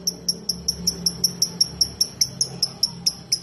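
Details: Ngetik ticking from a lovebird, a sound played to set other lovebirds chattering: a steady run of short, piercing high ticks, about five or six per second, over faint low background hum.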